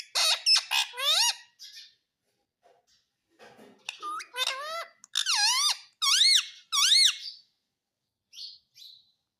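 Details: Talking parrot kept as a pet, saying "mummy" (mami) in a small room: rapid squeaky syllables at the start, a pause with soft sounds, then a string of loud, arching, whistled-squeak syllables.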